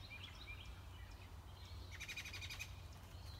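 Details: American robin nest with six-day-old chicks being fed by the parents: thin high chirps and whistles, then a burst of rapid stacked squeaky notes in the middle, over a steady low rumbling background.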